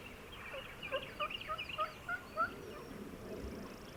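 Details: Fired-up Tennessee gobbler sounding off before daylight on opening day of turkey season. A quick, quiet series of stuttering, rattled notes lasts about two seconds against faint background hiss.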